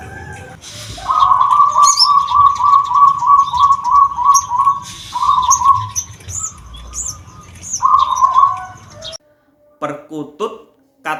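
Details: A zebra dove (perkutut) from Blora, Central Java, of the "bedah karang" voice type, which is hoarse and rough rather than clear, said to carry 500–750 m in the wild, coos in fast repeated low rolling notes; small birds chirp and a voice follows.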